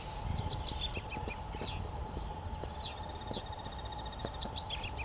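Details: Glittering-bellied emerald at Reserva San Martín, Córdoba, in January 2017, giving thin, high chips in quick scattered bursts, about a dozen in five seconds, over a steady insect drone and low rumble.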